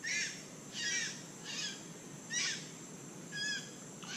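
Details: A white-throated magpie-jay in Costa Rica, eating palm fruit, gives five harsh, raspy bursts of about a third of a second each. They are unevenly spaced over four seconds against a steady background hiss.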